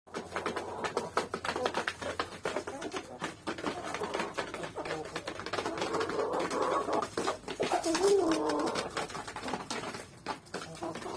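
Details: Several hens pecking at wheat, giving soft, low murmuring clucks in overlapping bands while rapid, irregular tapping of beaks on grain runs underneath, a little louder toward the end.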